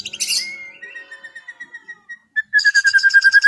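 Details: White-rumped shama singing in a relaxed afternoon session, meant to calm an over-excited bird: a high buzzy burst, then a long series of clear whistled notes, ending in a rapid run of repeated sharp notes.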